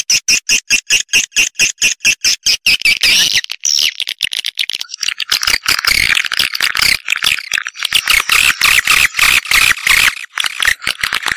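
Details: Swiftlet sounds that open with an even series of sharp clicks, then shift into dense, continuous high chirping and twittering over a rapid clicking pulse.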